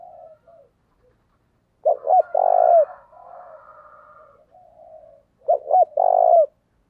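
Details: Spotted dove lure call aimed at rival males: two loud phrases about four seconds apart, each two short rising coos and a long trilled coo, with soft lower cooing between.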